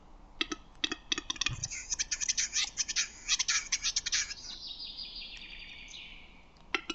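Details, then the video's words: Male Western capercaillie singing in Lithuania: spaced dry clicks speed up into a rapid knocking roll, then flow into a long high scratchy hissing phrase, then two final clicks. "Lietuvos paukščiai: Kurtinys"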